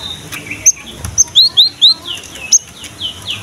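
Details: Gelatik batu (cinereous tit) singing vigorously, a recording meant to lure and prompt young birds of its kind to sing: sharp high whistled chirps, some upslurred, about eight notes in quick irregular succession, with faint background hiss.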